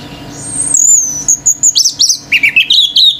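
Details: Male orange-headed thrush singing intensely, a kind of song said to rouse other birds into singing. A long, high, slurred whistle descends slightly, then breaks into rapid, sharp, chattering notes repeated about five times a second.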